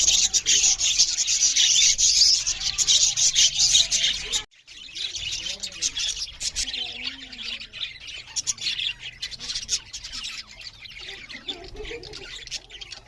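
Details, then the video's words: Budgerigars chirping loudly during feeding; a loud, dense, high chatter for the first few seconds, a sudden short gap, then softer continuing twitters and scratchy warbles. "Beautiful Budgerigars parrots Chariping loud with Something Budgerigars Eating"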